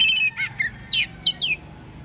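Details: Oriental magpie-robin singing freely in the morning to prompt other magpie-robins to reply: quick varied whistles, a dipping note, then bright rising and falling slurred phrases, with a soft low background hum.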